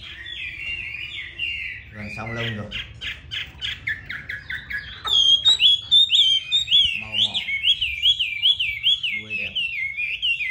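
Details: Chinese hwamei, caged songbird recorded at home in Hanoi, Vietnam: a long run of bouncing slurred whistles, harsh buzzy notes in between, then a loud, clear series of rising-falling whistled phrases repeated rapidly.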